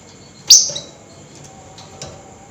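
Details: At night, a flameback in excited nyerecet mode gives one loud, shrill, rasping squeal that fades quickly, followed by a faint softer note over low background noise.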